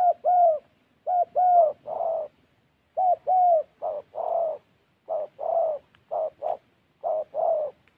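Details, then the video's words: Spotted dove kept as a call bird in Gia Lai, Vietnam, giving runs of low, hollow coos in groups of two or three notes, the later notes rougher and shorter, with brief pauses. "Gác cu gáy_ Bổi nước xa tốt, có kèm"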